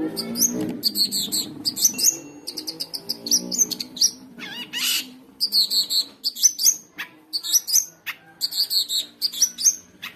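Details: Long-tailed shrike in nonstop 'gacor konslet' song, used as a tutor recording for young shrikes: bursts of harsh chattering notes with sharp rising whistles, separated by short pauses, over a faint low hum.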